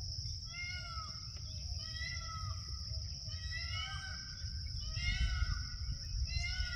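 A peacock gives loud, nasal, wailing notes in three quick bursts, over a steady high insect drone and low wind rumble.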